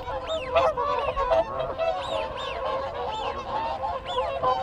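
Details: Group contact calls of whooper swans heard close: a continuous mesh of trumpet-like honks, with repeated arched whistles from wigeon and Canada geese calling behind them.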